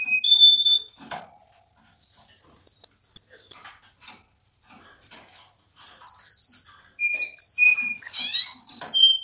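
A Russian canary sings a string of pure, high whistled notes, each held steady for a second or so, shifting from pitch to pitch, with a brief trilled flourish near the end.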